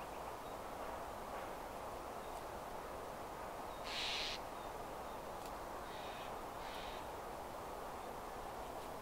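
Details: Black-capped chickadee giving harsh, buzzy notes, one loud burst followed about two seconds later by two shorter, fainter buzzes, over a steady low background rumble.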